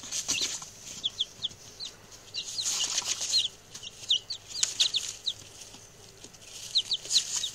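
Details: Newly arrived male chicks give short, quieter high peeps scattered among louder rustling and scratching as the six birds move about.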